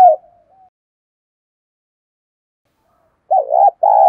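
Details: Spotted dove acting as a decoy to lure wild doves: the end of one coo, a quiet gap, then a wavering note and a long sustained coo.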